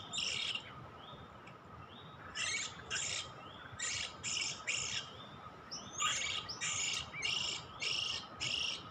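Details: Oriental magpie-robin (kacer) recording for trapping: grating buzzy phrases in clusters separated by short pauses, with faint soft whistles in the gaps and a low hum throughout.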